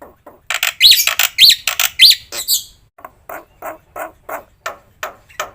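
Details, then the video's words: Black-winged myna giving a varied training song: loud harsh notes with thin whistled flourishes, then a steady row of softer rasping chucks about every third of a second. "suara masteran jalak putih full isian"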